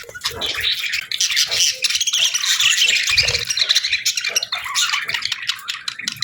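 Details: Dense budgerigar chatter: buzzy, squeaky warbling from several birds overlapping continuously, high and bright, with an occasional dull low knock.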